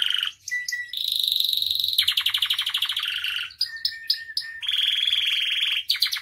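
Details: Vigorous canary song for training and provoking other canaries: alternating rapid trills at changing pitches, a long steady high roll, short clipped notes and a final buzzy rattling trill, with a faint low hum beneath.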